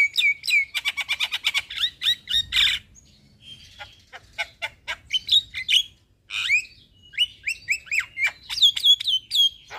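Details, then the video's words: Black-winged starling in a cage, song to encourage stressed or lazy birds to sing: fast rattling chirp series, a brief quiet gap, then loud whistled notes dropping in pitch, repeated several times. "Terapi Jalak Kebo Malas Bunyi / Jalak Kebo Stres Gak Mau Bunyi - Pancingan Burung Jalak Gacor"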